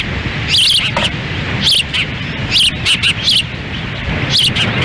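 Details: At a Montana osprey nest in Lolo on a windy June 10, 2017, the female feeds chicks as the male stands by; clear high whistled chirps, some doubled, ring out in clusters over low wind roar.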